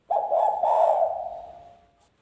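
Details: Spotted dove lure call in the wild-sounding 'ngalas' style, used to attract young doves for trapping: one low, mellow coo of nearly two seconds, slightly broken after its start, wavering, then fading away. No other sounds.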